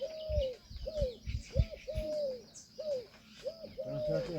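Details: Indian peafowl, a peahen, uttering a steady series of loud, bent, tonal honks about every half second, with low thumps and faint bird chirps in the background.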